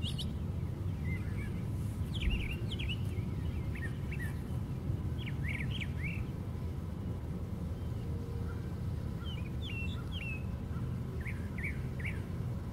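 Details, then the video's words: A brown thrasher singing at the very top of a white pine tree gives short, varied, sharp phrases in bursts, some seemingly paired, rather distant over a steady low rumble of wind. "Brown Thrasher Singing"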